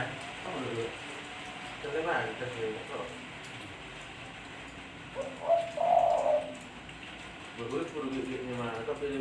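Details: Spotted dove cooing: soft, low, hollow coo phrases in short bursts, with the loudest drawn-out note mid-clip and fainter coos around it, against a steady background hiss.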